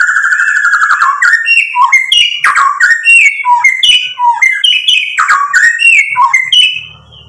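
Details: White-rumped shama in full song to stir other birds into answering: loud rich phrases of varied whistles, rapid jumps between high and low notes with sharp clicks, steady and continuous, fading at the end.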